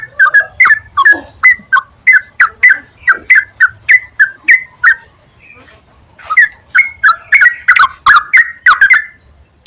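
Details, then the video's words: Bubbly, rolling yellow-vented bulbul phrases used to coax a caged bird into song. Short whistled notes follow one another rapidly, break for about a second, then resume. "PANCINGAN BURUNG TRUCUKAN TERAPI PAGI,SIANG,MALAM,AGAR TRUCUKAN RAJIN GACOR"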